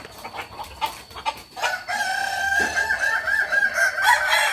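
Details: Kukuak Balenggek rooster at a Sunday joint practice contest in Ampang Kualo, holding a long, level, strongly harmonic crow for nearly three seconds with slight rises near the end, after background clicks and voices.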